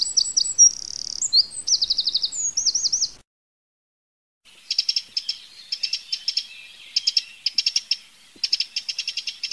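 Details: Eurasian wren, free-living, first singing quick high trills and twittering phrases, then after a short silence giving a long series of clicking, ticking rattles.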